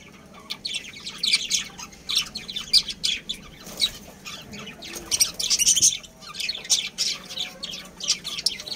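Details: Domestic budgerigar breeding pair indoors: busy, overlapping warbling chatter of thin, scratchy high notes and short chirps, irregular and continuous throughout.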